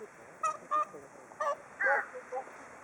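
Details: Whooper swans at Hakuchodai Sebat, Onuma–Konuma, waiting for food, giving loud bugling honks, about five calls in three seconds with one longer, harsher call in the middle, over quiet background hiss.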